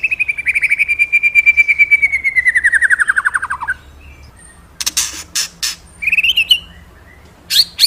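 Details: Magpie-robin in very lively singing form: a long, rapid chattering trill sliding gently downward for almost four seconds, then a pause before scattered sharp notes and short bright whistled phrases.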